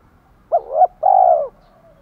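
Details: One spotted dove phrase, part of cooing that includes males and females and is used to excite a newly caught bird. A rolling, wavering opening note slides into a long, steady, soft coo.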